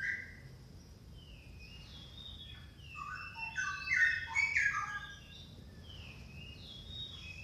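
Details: Orange-headed thrush song: varied clear whistled notes and short slurred phrases that jump between low and high pitches, with a louder cluster of rich warbling in the middle, over faint steady hiss.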